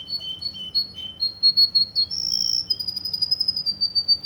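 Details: Russian canary in Kuwait singing alternating high and lower whistled notes, then a long rolling high trill of rapid pulses that continues to the end.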